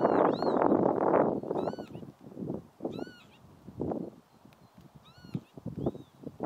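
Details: Northern lapwing at Ljubljansko barje, Slovenia, on 22 April 2024, giving wheezy, slurred, arching calls, several in quick succession, over loud gusty rumbles of wind.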